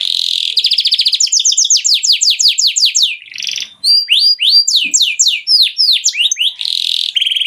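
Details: Mushti canary song for mating: a buzzy opening, a fast rattling roll, then series of steep falling whistles and a return to a harsh buzzy trill.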